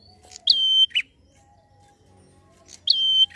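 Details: Fast ngalun-style prinia song for provoking rival prinias: two phrases, each opening with a bright flick, holding a flat piercing whistle, then dropping to a brief buzzy chirp; low steady hum underneath.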